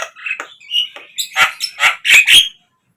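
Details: Brief Javan myna lure call for captive birds: soft chatter and a whistle, then a loud series of harsh squawks before silence.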